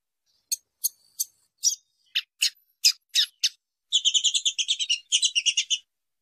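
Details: Female double-collared seedeater calling to stimulate male song: a series of separate sharp, high chip notes spaced roughly a third of a second apart, leading into two runs of fast, buzzy twittering chatter.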